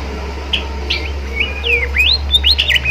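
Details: Gacor bimoli song used to coax young spotted bimoli into singing: rapid whistled phrases of rising and falling slurred notes, growing busier toward the end, with a constant low electrical hum underneath.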